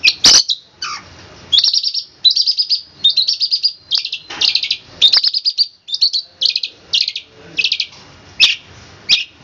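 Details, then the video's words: Long-tailed shrike master song, tembakan kristal style, for training birds: loud trilled bursts and rapid stuttering high phrases in short runs, with sharp clicks between them. "Masteran cendet suara tembakan kristal"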